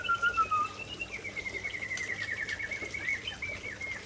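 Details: An Aceh-type white-rumped shama pours out its favourite fill-ins: two clear whistles to open, then a long, unbroken rapid trill that wavers in pitch and ends in quick chips.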